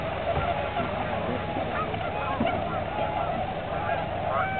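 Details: A flock of about 2,478 tundra swans at Aylmer Wildlife Management Area on 15 March 2009, a stop on their spring migration, calling together in a steady chorus of overlapping mellow, high hooting and yelping notes with no pauses.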